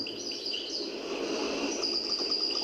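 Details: European goldfinch, a kept songbird in Algiers (locally "meknin"), sings an old El Biar-style song with some improvisation; described as an imitator of other birds. Rapid run of bright tinkling twitters and thin high whistles, soft background hiss.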